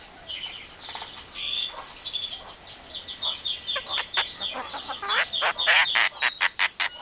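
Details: Javan myna mimicking a hen calling her chicks, an Asian pied starling and a hungry civet. A dense, varied jumble of whistles, squeaky slurred notes and harsh chattering bursts, ending in a fast series of sharp, clipped repeated notes.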